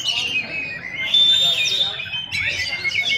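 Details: Shrikes singing at a bird singing contest: dense, overlapping high chattering and scratchy notes with long, steady whistled tones, several birds at once, with voices and crowd murmur beneath.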